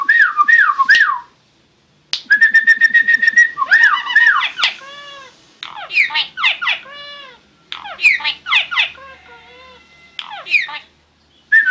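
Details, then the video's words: Starling singing a varied medley of loud whistled phrases, slurred notes sliding up and down, rapid clicking runs and buzzy bursts, broken by short pauses, with some phrases repeated. "It's A Great Bird Song (Starling Bird Singing)"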